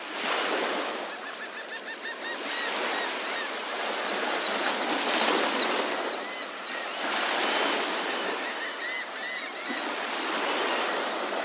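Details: Many seagulls gathered on the beach at Delnor-Wiggins Pass State Park in Naples, Florida, on a morning; harsh, repeated calls overlap from several birds above a constant roar of breaking surf.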